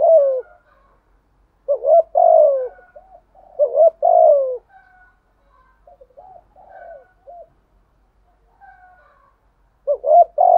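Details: Spotted dove cooing in a practised pattern intended to make timid wild doves coo in response; three loud coo phrases, a stretch of soft quiet coos, then a final strong burst.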